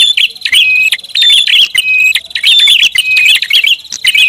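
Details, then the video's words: Noisy prinia lure call with almost continuous sharp chirps and twittering notes over a steady high tone, stuttering rhythm with only tiny breaks. "SUARA PIKAT BURUNG PRINJAK ATAS RIBUT"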